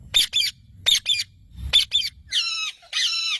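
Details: Green parrot uttering paired harsh squawks repeated three times, then two longer drawn-out grating calls.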